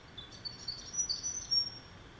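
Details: Grey fantail (Rhipidura albiscapa) hatchlings, active and jostling in the nest while parents feed them, give faint, very high, thin squeaky chirps in quick irregular bursts over a soft background hiss.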